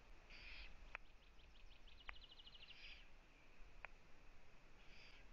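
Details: At a Eurasian eagle-owl nest in Latvia, filmed live on 1 June 2017 in the afternoon while the female visits her owlets, raspy hissing bursts alternate with a fast ticking trill, punctuated by several sharp clicks.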